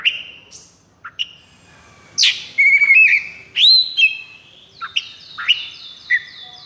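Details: Oriental magpie-robin in high breeding condition and strongly agitated, a training recording for kept birds: varied clear whistles and harsh buzzy bursts, then a fast run of repeated downward-slurred notes, with short pauses between phrases.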